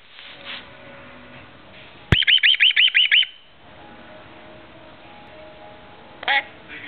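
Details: A talkative pet lorikeet indoors, with its owner, bursts into about seven quick, shrill chattering notes in just over a second, then gives one more short screechy call; faint room hum underneath.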